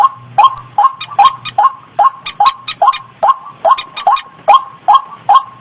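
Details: White-breasted waterhen lure call, said to be tested in rice fields, gardens and streams to draw the birds in: loud, harsh clucking notes repeated steadily about twice a second, each with a short upward inflection, over a low background hum.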